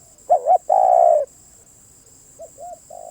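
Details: Spotted dove song: a quick double-humped coo, then a longer steady crooning coo at a low, mellow pitch. Softer, shorter coos follow after a pause. A faint constant high hum runs throughout.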